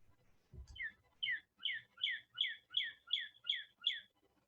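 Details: Male northern cardinal (Cardinalis cardinalis) singing a fast string of eight clear, slurred whistled phrases, each a brief high note dropping into a lower one, repeated about every half second.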